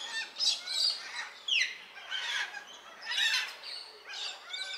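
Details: Fourteen Baudin's black cockatoos feeding on marri seeds at Narrikup on 23 December 2022 give harsh, wailing, overlapping calls with sharp down-slurred notes, repeated roughly every second by several birds.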